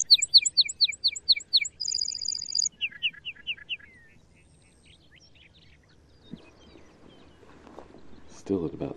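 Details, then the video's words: A male lark bunting sings close by: a rapid run of repeated high slurred notes, a fast dry trill, then descending whistled phrases, followed by quieter background with some low thumps and rustling. "Lark Bunting Calamospiza melanocorys Singing"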